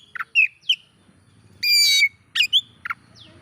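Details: Oriental magpie-robin singing to provoke rivals, short whistled slurs around a long, even, rich harsh note, with a low murmur of background noise.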